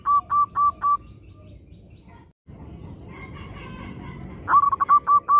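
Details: Zebra dove of a local type in active song, used to coax other doves to sing: four clipped cooing notes, a quieter stretch with faint background sounds, then a fast stuttering run of similar notes.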